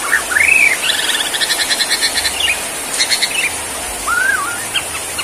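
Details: White-rumped shama of the Borneo form, performing in a bowing 'sujud' style: rising and falling whistled notes, then a run of rapid buzzy repeated notes, more whistles and a slurred phrase near the end.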